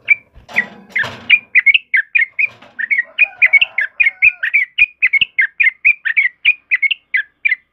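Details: A yellow-vented bulbul sings a continuous, rapid series of rich, bubbly whistled notes. A loud rustling noise is heard in the first second and a faint thin whistle appears midway.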